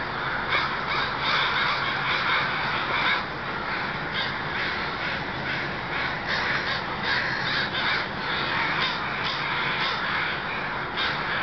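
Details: ['Crows flocking into their Still Creek night roost in Burnaby, British Columbia, some 20,000 birds; a loud, unbroken wall of hoarse cawing with irregular bursts of closer, repeated calls.']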